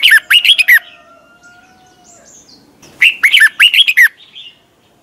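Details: Training lure of a red-whiskered bulbul in competition song, the 'twisted voice' morning style: a short burst of liquid, dipping whistles, two seconds of near silence with a faint distant chirp, then a matching burst.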